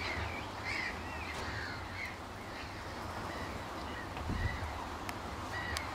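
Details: Common redshank at RSPB Rye Meads, UK, in April 2013, on a scrape with open water. Faint clear whistled notes, each slurring downward, come irregularly several times across the clip over a steady low rumble of wind.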